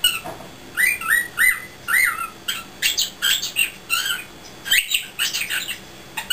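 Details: Pet cockatiel, a recent arrival, roosting indoors and attempting speech, saying "pretty" over and over; a run of squawky, whistled syllables with upward-sweeping notes, then quick chattering bursts about twice a second.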